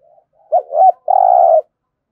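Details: One full phrase of a spotted dove's competition cooing, recorded in Đồng Nai. A soft lead-in comes first, then two bent, swooping notes and a drawn-out, rough, level coo lasting about half a second.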